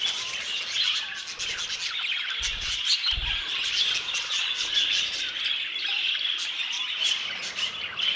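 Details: Old aviary full of budgerigars producing an unbroken warbled chatter with sharp squeaky calls on top; two short low thuds are heard early on.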